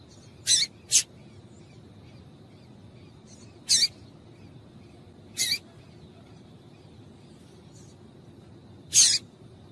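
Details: Female yellow-bellied seedeater calling to stimulate males to sing: sharp, high, hissy chips, a quick double note then single ones spaced about two to three seconds apart over quiet background hiss.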